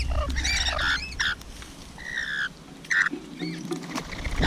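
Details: Rainbow lorikeet at a feeding session making a few scratchy squawks and short, drawn-out grating calls separated by brief gaps.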